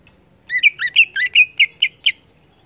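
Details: Lively 'ngeplong' song of a greater green leafbird, meant to encourage other leafbirds: about nine sharp, varied whistled notes, some slurred and twisting, in a quick, slightly uneven series lasting about two seconds.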